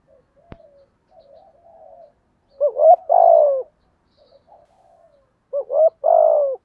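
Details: Spotted dove lure bird, 'giọng thổ' voice, cooing 'thúc gù' to attract wild doves: quiet soft murmurs at first, then two loud phrases about three seconds apart, each a quick double hook followed by a longer falling coo.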